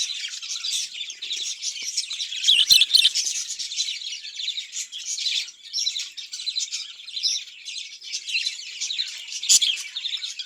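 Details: Budgerigars kept in a cage for breeding chatter steadily with busy, high-pitched chirps and scratchy warbles, several sharp louder notes standing out against the constant twittering.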